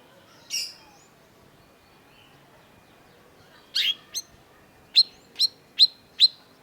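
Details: Long-tailed shrike giving a scattered phrase: one harsh scratchy note, a pause, then a sharp double chirp, followed by four crisp high notes spaced about half a second apart.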